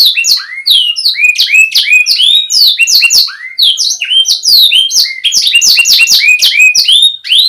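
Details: Clear canary song used to tutor young birds: a dense, continuous run of high swooping whistles and chirps, rising and falling in quick succession with almost no pauses.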